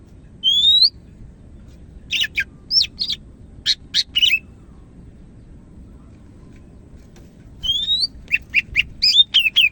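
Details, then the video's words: Greater green leafbird of the Medan type singing vigorously: a rising whistled slur, then a burst of short, sharp, high chirps. After a pause the rising whistle returns, followed by another rapid chirping run. Background is quiet apart from a low hum. "SUARA BURUNG CAK IJO MEDAN GACOR"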